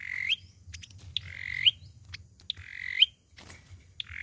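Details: Olive-backed sunbird in fighting song, a lure recording for trapping: harsh buzzy notes that each end in a bright rising flick, with short sharp chips between them and a low background hum.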